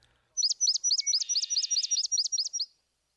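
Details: Swamp sparrow song made of a series of relatively slow, loud chips, about twelve clear chips over two seconds that can be counted easily. A brief faint whistle overlaps the middle. The background is quiet.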